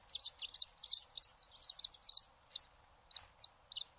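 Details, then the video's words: Eurasian tree sparrow chirping: a busy run of sharp high tweets over the first two seconds, then sparse single chirps spaced apart. "trees sparrow"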